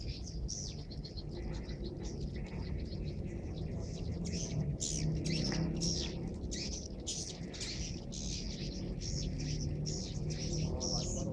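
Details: Swiftlets entering a swiftlet house in Subang, Indonesia, just after the call to prayer, many birds still arriving; continuous overlapping high twittering chirps over a heavy low rumbling background.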